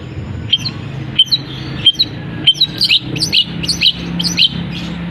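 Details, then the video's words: Caged long-tailed shrike singing with copied canary and sparrow-like notes: isolated sharp high chips at first, then a denser string of twisting squeaky notes. Quiet low hum behind. "Cendet Gacor Isian Kenari, gereja tarung, kapas tembak, Buka Krodong Langsung Gacor"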